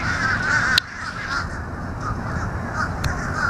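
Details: Several noisy fish crows calling together, a steady overlapping chorus of hoarse nasal caws with no clear gaps, over a constant low rumble of background noise.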